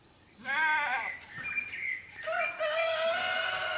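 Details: Rooster crowing: a short wavering harmonic burst, then a long, steady, drawn-out note held nearly level for over a second and a half, with a faint rasp and quiet background.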